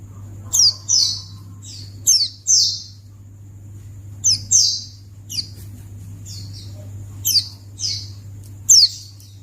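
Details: White-eye call meant to draw an answer from other white-eyes: high, thin, downslurred chirps mostly in quick pairs and clusters, about a dozen notes in nine seconds, over a faint low hum.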